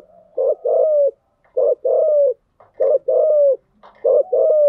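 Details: Female spotted dove used as a lure to excite a decoy, calling gáy gọi style. Loud, mellow coos come in quick pairs, a short note then a longer falling one, repeated four times without pause.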